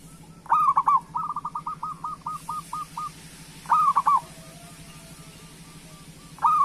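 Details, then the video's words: Coos of a local zebra dove, played to stir other doves into singing: a strong rolling coo, then a long evenly spaced stutter of about ten soft notes, the coo returning twice, over a low mechanical hum. "Perkutut Lokal Gacor Suara Pancingan Burung Perkutut Paling Cepat Bunyi"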